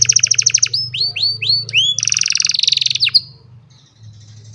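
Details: Old canary singing on a sunny morning, recorded on a cellphone: a rapid buzzy trill, then a run of rising whistled slurs, a dense rattling burst and a sharp downslur, ending in quiet with a low hum beneath.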